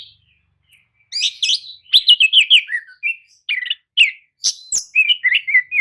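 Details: Lure song of the Oriental magpie-robin (kacer) to coax a listless bird into answering; after a quiet start, a lively run of quick warbling and chattering notes with occasional sharp high chips.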